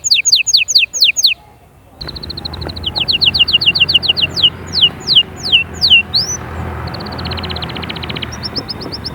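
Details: Canary song used to stimulate chicks to sing and get females ready: bursts of falling whistles, a pause, then quick repeated notes, broader swoops and a fast rattling trill.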